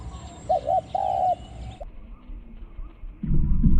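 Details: Spotted Dove used as a decoy against wild doves at the third spot, small-voiced khu-ang cooing: three low coos, two short then one drawn out, followed by quiet and a low rumble.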